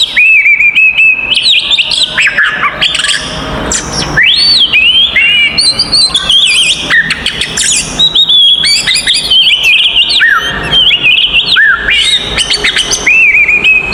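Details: Oriental magpie-robin delivering a fighting song used to provoke other magpie-robins into agitation: long, energetic stream of piercing whistles, rising slurs, scratchy trills and mimicked chirps, barely pausing across the passage.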